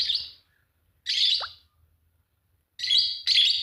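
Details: A pair of green Fischer's lovebirds chirping: four shrill chirps, one ending in a quick downward-sliding tail, the last two coming back to back.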